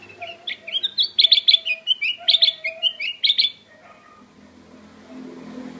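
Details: Loud song of a black-crested bulbul: repeated bursts of quick, ringing chirps and slurred whistles for about three and a half seconds, then quiet background.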